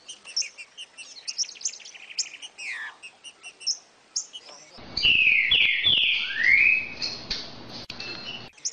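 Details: Green-winged saltator song, played to stimulate a kept bird to sing: several seconds of rapid high chirping, then a loud whistled phrase of downward slurs and a rising sweep near the end.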